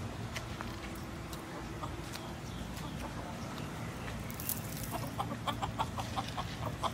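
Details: Rooster clucking, said to need food to stay quiet and calm; low rumbling background gives way to a run of short, sharp clucks repeated rapidly in the last three seconds, with scattered clicks throughout.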